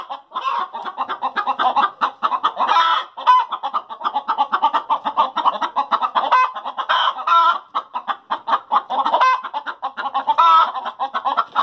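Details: Backyard hens cackle after laying eggs, a long steady barrage of quick clucks from several birds with scattered extended squawks standing out.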